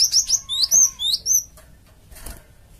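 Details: Java sparrow lure call aimed at making flocking birds respond: a fast run of about seven high, sliding chirps within one and a half seconds, then quiet with a soft rustle.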